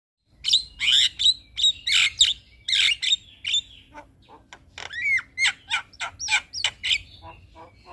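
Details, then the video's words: Javan myna (Jalak Kebo) in a full song recording: loud harsh squawks and chattering notes in quick bursts, followed by a run of sharp rising whistles and clicks, roughly three per second, with a faint low hum beneath. "Masteran Jalak Kebo Full Isian"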